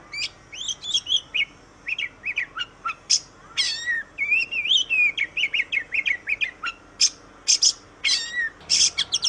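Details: Training song of an oriental magpie-robin, meant to stimulate other birds: rapid sequences of sweet whistled notes, buzzy chips and wavering slurred phrases, tumbling almost without pause.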